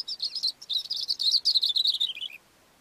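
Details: Singing from a rock on a mountain slope, a Cape grassbird pours out a loud, quick sequence of high, sharp twittering notes, slightly descending, finishing with lower slurred notes.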